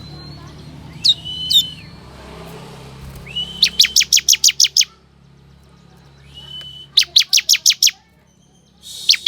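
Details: Lure song of a ciblek kristal, the bar-winged prinia, aimed at wild forest birds: a couple of upswept whistled notes, then rising whistles that break into runs of seven or eight sharp, high chirps, over faint background noise.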